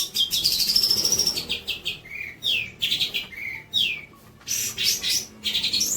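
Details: Long-tailed shrike song used to train young birds: a varied run of sweeping whistled slurs, short descending notes and scratchy buzzy bursts, given in quick succession.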